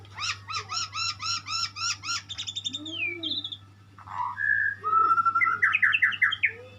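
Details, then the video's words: White-rumped shama song opening with a rapid series of repeated bright notes, then a low soft whistle, a long flat whistle and a fast descending chattering trill, steady hum beneath. "sound of the bird , burung muray , burung berkicau , burung bernyanyi"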